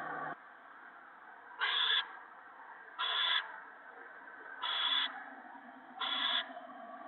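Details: Owls at the nest as a gopher is brought for the owlets one March 2017 evening. Four loud, breathy screeches arrive at fairly even intervals of about one and a half seconds over a soft continuous hiss.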